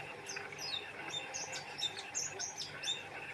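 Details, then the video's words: Oriental white-eye singing a fast, high twittering phrase of short slurred whistles and chips, roughly one burst per second, against a steady low hum. "Burung pleci gacor"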